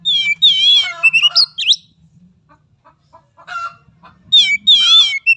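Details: Oriental magpie-robin song for training young birds: buzzy warbled notes and sharp upslurred whistles, then a pause with soft scattered notes before another loud warbled phrase. A faint low hum runs underneath.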